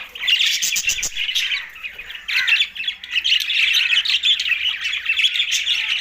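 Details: Green budgerigars feeding in Larkana, Sindh, produce a loud, unbroken mass of squeaky chirps, trills and squawks that rises and falls in waves across the flock.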